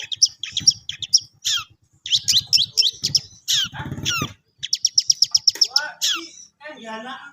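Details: Long-tailed shrike practising a varied song of rapid high chirps and swept notes. A quick regular series of ticking notes follows, then lower rasping chatter, with low thumping underneath.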